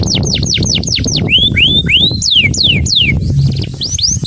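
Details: An excited caged male Atlantic canary sings to stimulate a female for mating: loud series of sweeping, arched whistled notes, first fast rising-falling slurs, then slower long rising sweeps, with low background rumble.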